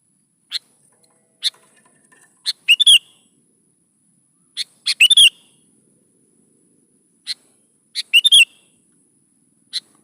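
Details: Lure recording of a sooty-headed bulbul in gacor song for young bulbuls: sharp single pick notes at irregular intervals, three times breaking into a rapid, bubbly three-note phrase.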